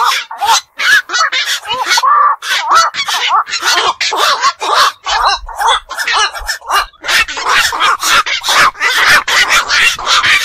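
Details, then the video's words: Many black-crowned night herons, called bakchu or nishi bok, a night-active bird found around fish ponds, ponds and beels, give a dense, rapid chorus of harsh, nasal, overlapping squawks and croaks with almost no pauses. "বাকচু পাখির ডাক. নিশি বক এর ডাক. 4 রাত জাগা পাখির ডাক"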